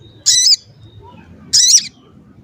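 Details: Crested jay used as a lure to excite other jays: two loud harsh, buzzy squawking notes about a second apart over faint low background noise.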